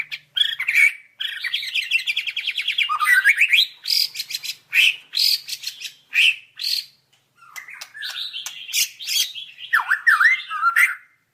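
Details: White-rumped shama song for training birds, opening with a fast trilling rattle of repeated notes. It continues with separate bright whistled phrases, a short silence, then warbled, down-slurred notes at the end.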